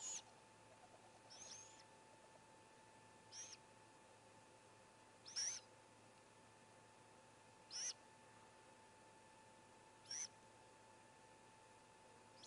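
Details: At a nest on 16 May 2017, as the youngest of four great grey owlets swallows a whole vole, a sibling seemingly cheering it on gives short, harsh hissing screeches about every two seconds over a faint steady hum.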